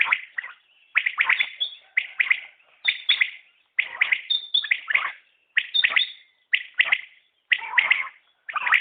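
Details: A common quail repeats its quick three-note chirped phrase about every second, interspersed with brief high whistled notes.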